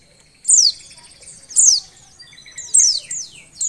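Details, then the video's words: Oriental white-eye female in breeding condition, meant to rouse quiet males: three bursts of thin, very high falling chirps about a second apart. "suara pleci betina birahi"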